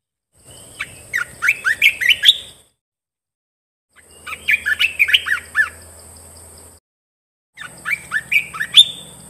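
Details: Bulbul (Thai red-eyed cage bird) sings three bursts of quick, bubbly whistled phrases, rising and falling, with short silences, over steady high hiss and faint low hum; recording used as a decoy to lure birds in.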